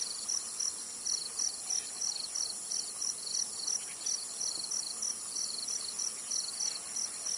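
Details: Zitting cisticola recorded in Tainan, Taiwan, repeating crisp high-pitched notes at a steady fast rhythm while insects drone shrilly throughout.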